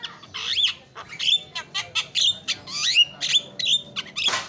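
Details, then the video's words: Lure song of a Javan myna to set a quiet myna singing: rising whistles, harsh rattling squawks and clipped notes alternate irregularly, finishing with a noisy rasp. "JALAK KEBO PALING KREN KICAUANNYA"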